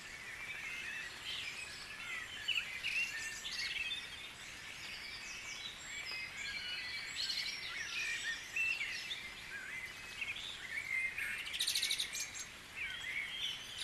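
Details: Birds at dawn in Guisborough keep up a continuous, busy chorus of high chirps, trills and whistles, with a fast buzzy rattle standing out near the end and a steady low hiss beneath.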